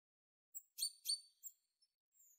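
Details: Tit giving a brief burst of high, thin chirps: a couple of sharp notes bunched together, then a few isolated faint tweets in otherwise silent surroundings.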